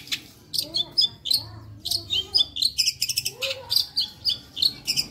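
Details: Varied long-tailed shrike song full of mimicked phrases: sharp whistles, rough churring notes and rapid chirps, delivered in quick, uneven bursts without pause.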